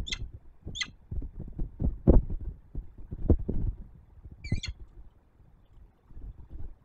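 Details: Peregrine falcon female at a nest on a Warsaw tower, Poland, 19 September 2024 around dawn, about to fly away. Two quick sharp calls, a pause, then one more, amid heavy low thumping and rumbling.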